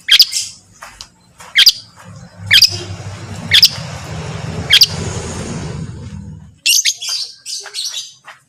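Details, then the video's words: Long-tailed shrike recorded to prompt other shrikes to sing: five sharp, high clicking notes about a second apart over a low rumbling background, then a quicker burst of scratchy chatter after the noise stops. "Terbukti ampuh... cendet lain bakal langsung bunyi || masteran cendet"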